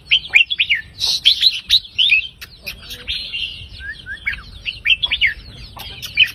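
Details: Red-whiskered bulbul singing a 3-4-5 counted-phrase song line to rouse listening birds: loud, quick whistled chirps in close series, a pause of soft notes with two low whistles, then more ringing phrases.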